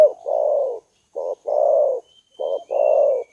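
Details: Spotted dove cooing, used to lure birds: rough, low phrases of a short note followed by a longer, gently falling coo, repeated three times. A faint high whistle is heard behind.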